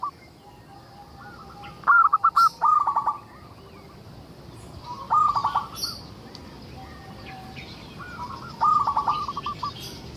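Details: Zebra dove of local stock singing to prompt other zebra doves; three widely spaced phrases of quick, stuttering coos about three seconds apart, slightly quieter, with faint chirps of other birds above.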